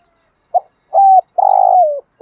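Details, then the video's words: Morning call of a decoy spotted dove attracting wild birds: a brief soft note, a steady mellow coo, then a long vibrating coo that trails downward. "tieng chim cu mồi gáy gọi bổi buổi sáng/ tiếng chim cu gáy kích bổi nhanh nổi hiệu quả"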